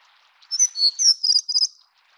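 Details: Plumbeous redstart, Taiwan endemic subspecies affinis living along streams; a short burst of high sharp squeaky notes and a quick chattered trill lasting about a second and a half, with quiet surroundings before and after.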